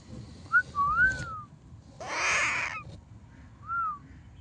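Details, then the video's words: Baby parrot giving a pair of clear sliding whistles, then a rough, noisy squawk lasting almost a second, followed by one last bright falling whistle. "natural baby sound parrot"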